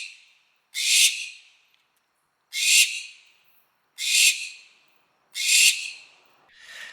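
A Barn Owl gives four long, harsh, hissing screeches, each about a second, repeated roughly every one and a half seconds.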